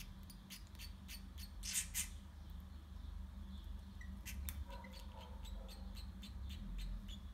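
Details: Zebra finch chicks, six in a nest during breeding: a rapid run of harsh, clicking ticks, rising to a louder raspy burst near two seconds, then more spaced, sharp ticks with a few short whistled notes, over a steady low hum.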